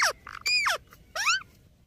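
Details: Indian ringneck parakeet producing talking sounds: a brief downward-sliding note, a sustained flat tone ending in a drop, then a rising-and-falling arched syllable, all clear and nasal.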